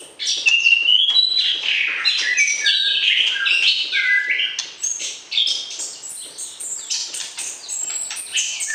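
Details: White-rumped shama in a cage for pairing, singing to arouse the opposite sex before breeding: a dense, varied run of clear whistles and sharp chirps, phrases jumping quickly between high and middle notes with no pauses.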